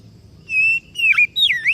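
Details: Brief Oriental magpie-robin song fragment: a level whistle, a short warbled dip, then a rising and falling swoop, clear and loud.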